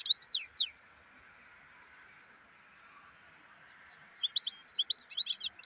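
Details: Black-headed form of the European goldfinch: a short burst of high, quick twittering notes, a long pause with only a steady mid-pitched hum, then a livelier run of rapid tinkling chirps.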